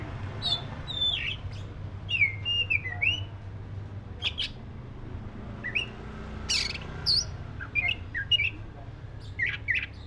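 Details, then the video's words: Oriental magpie-robin of the black-breasted form singing a varied sequence of looping whistles, chirps and scratchy notes with short pauses, a low hum running throughout. "SUARA BURUNG KACER (DADA HITAM)"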